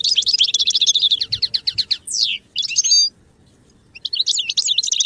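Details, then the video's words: Singing goldfinch used to train song: a fast, regular rattle of high notes, then a sweeping downslurred whistle and a bubbly twitter. A pause follows before more jumbled chattering phrases. "Birdsong sound effect beyond support and inspiration goldfinch"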